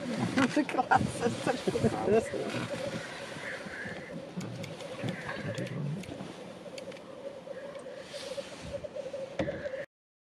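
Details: Black grouse lek at World's End, North Wales, 17 February 2018: a steady, low, dove-like bubbling from several birds merges into an unbroken murmur. People talk quietly at the start.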